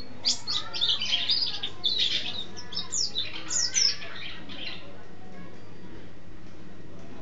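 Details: Energetic Mountain white-eye song in the rolling ngeroll style, with canary and sparrow imitations in its repertoire: about four seconds of quick, high chirps and warbled whistles, then falling silent.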